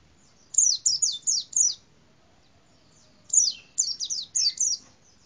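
A white-eye gives two quick runs of five or six very high, thin, down-slurred chirps, about four per second, against a quiet background.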